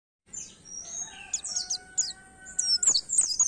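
An Oriental white-eye sings fast, very high twittering phrases with thin chirps and sharp ticks. A faint steady whistle-like tone sits underneath.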